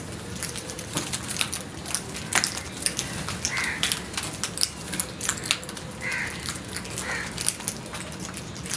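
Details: Frightened crows giving loud, harsh caws: three hoarse calls spaced a second or two apart against a busy background of clicks, rustling and steady noise.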